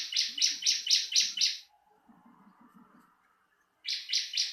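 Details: Song of the bar-winged prinia recorded for bird training: six quick buzzy high notes in a row, a two-second gap with faint low sounds, then three more notes starting the next burst.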